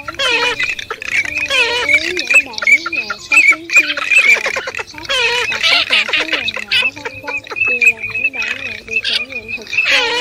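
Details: White-browed crake (Poliolimnas cinereus) lure recording for night net-trapping of migrating birds, August 2023: busy, nasal chattering calls with squawky notes rising and falling in quick runs, and thin high notes mixed through the continuous chorus.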